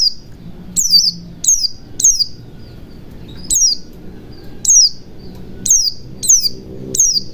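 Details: White-eye lure song for getting silent birds singing: high, sweeping, downward chirps, single or paired, roughly every half second to second, over a soft low rumble.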